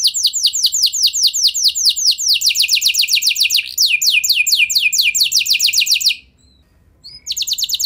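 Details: F1 canary song played to prompt other canaries to sing, a long unbroken trill of quick downslurred notes that speeds up midway. A brief silence follows, then a new rapid phrase begins.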